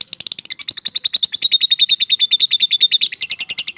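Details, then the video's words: Fighter lovebird in long ngekek chattering, a fast, unbroken run of high, rattling notes that builds in loudness and holds a steady pace of several notes per second. "Suara Burung LOVEBIRD FIGHTER Ngekek Panjang, Terapy PERANGSANG Lovebird MALAS BUNYI"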